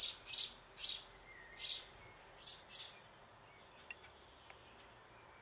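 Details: A young European pied flycatcher in a backyard on 7 June 2013, calling for a parent with high, hissy begging calls about twice a second, then quiet apart from faint clicks and one thin rising note; other birds and sirens behind.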